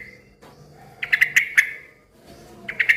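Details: Yellow-vented bulbul in busy song that prompts other bulbuls to respond; a soft opening note, then a quick cluster of four sharp ringing notes, and two more notes at the end.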